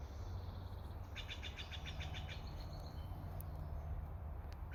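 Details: Steller's jay in British Columbia, Canada, giving a quick run of about ten harsh, evenly spaced notes over a steady low rumble of wind or distant traffic.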